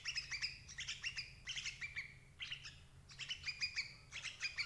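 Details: Sooty-headed bulbul, sound used to trap parent birds: quick clusters of chirpy, slurred notes in tight bursts, each group ending in a drawn-out level tone, repeated several times with brief gaps, a low hum underneath.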